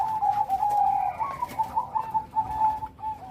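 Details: Loud-voiced Bangkok zebra dove in full rhythm, giving a steady run of level cooing notes, evenly repeated and pulsing at a constant mid pitch.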